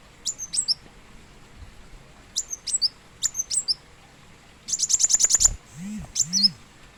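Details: Plain sunbird, known in Indonesia as kolibri wulung, uttering high squeaky chirps in small clusters, then a fast run of about seven clicking ticks, followed by a couple of low swooping sounds.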